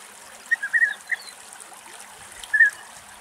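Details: In August in Greece, a European bee-eater utters a few soft rolling trilled notes in a short uneven cluster, then one more after a gap, with gentle background hiss.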